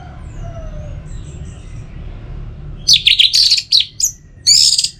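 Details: Singing of an orange-headed thrush, played to encourage birds to sing in all seasons: faint thin whistles at first, then a sudden dense outburst of loud, scratchy, rapidly changing high phrases, with brief gaps, over low background noise.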